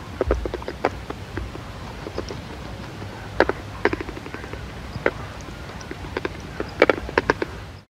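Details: Painted stork, in India, wading in shallow water to forage, bill clattering: sharp, dry wooden clacks in irregular bursts with some quick double and triple knocks, over a low rumble of wing flapping and wind.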